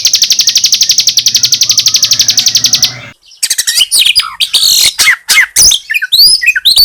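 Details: Bar-winged prinia song, joined in the recording with magpie robin sound and meant for provoking birds: a fast, buzzy note repeated about four times a second for three seconds, then a pause and varied sharp chirps and whistles.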